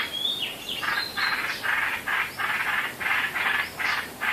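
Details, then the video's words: Birds calling in the dark before dawn on 8 April 2016: harsh, buzzy bursts repeated roughly three times a second, mixed with a few thin rising whistles and a hissing background. "เสียงนกขอด 8เมษา 2559 เช้ามืด"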